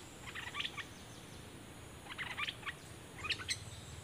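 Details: Cream-vented bulbul kept as a decoy bird, singing three short clusters of bubbly, chirping notes spread over four seconds, fairly faint against a steady background hiss.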